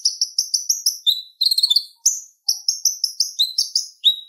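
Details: Rapid high chirps from a purple-throated sunbird (konin), recorded as a master song for training songbirds. The chirps repeat in steady series, with a brief dense twitter in the middle and a lower falling note at the end.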